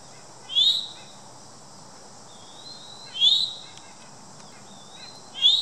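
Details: Eastern Towhee at Morton Arboretum on 1 September 2013 giving three bright, upslurred chewink calls, one every two and a half seconds, over a steady high insect hiss.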